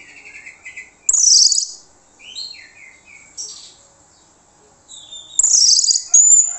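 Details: Lure song of an Orange-headed thrush meant to make other birds answer: soft chattering notes give way to loud harsh high bursts, varied slurred whistles between, another harsh burst ending in a sharp whistle.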